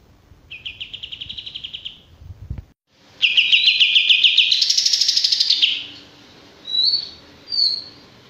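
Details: Loud male olive-winged bulbul song: a short trill, a brief break, then a long intense run of pulsing high notes climbing higher, followed by two short separate whistled notes.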